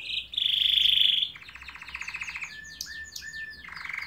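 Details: Magnificent canary song: a sustained bright trill, then a lower buzzy roll, scattered quick slurred notes and a final low rattling tour.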